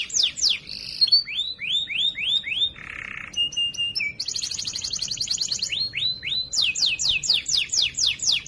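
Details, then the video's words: Canary singing a loud, clear training song meant for other canaries to learn: rapid series of sweeping downward whistles, buzzy fast trills, a low rasping burst and a steady whistled note, shifting between phrases every second or so. "Masteran Burung Kenari Suara Lantang Dan Jernih"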